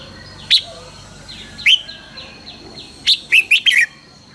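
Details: Red-whiskered bulbul morning training song in the fiery 'căng lửa' style: isolated sharp whistled chirps at first, then a rapid burst of four or five slurred notes near the end, over a faint constant high hum.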